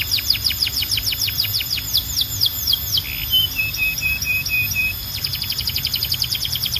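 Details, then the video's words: Belgian canary in song, calling other canaries to join: rapid series of downward-sweeping chirps, a few steady flat notes in the middle, then renewed quick chirping; steady high tone and low hum in background. "Belgian Canary Calls All The Canaries to Sing‼️ Best Canary Singing"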